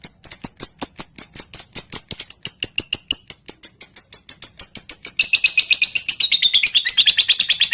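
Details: Lovebird in the ngetik style, with tight pauses, meant to provoke other birds to sing and get heated: a long train of sharp, high ticking notes that steadily speeds up into a dense, buzzy chatter.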